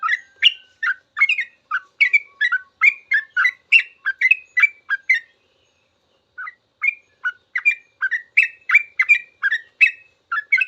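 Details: Yellow-vented bulbul in full, long 'ropel' song, a master recording for teaching cage birds: rapid bubbling burst of short chirpy notes, a brief pause near six seconds, then the chattering run resumes.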